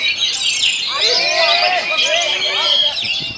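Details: Kacer, an Oriental magpie-robin, sings rolling ngerol nembak phrases in strong wind: swooping whistles and fast, tumbling twitters pour out without pause.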